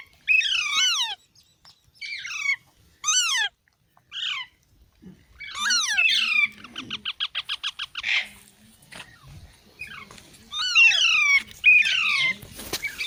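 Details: Baby parrots producing bursts of harsh, falling squawks in groups, a rapid regular pulsed chatter in the middle, then more clustered descending squawks, with little background noise.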